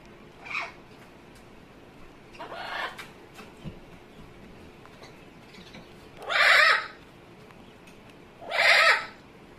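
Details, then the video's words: Amazon parrot kept as a pet making funny noises: scattered short raspy calls, then two loud harsh squawks about two seconds apart. "Hecko is making funny noises."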